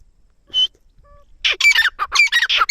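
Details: Grey francolin, locally called teetar, from Dera Ghazi Khan, Pakistan: after a brief squeak and near silence, a burst of loud, harsh, rapidly repeated grating notes fills the final second.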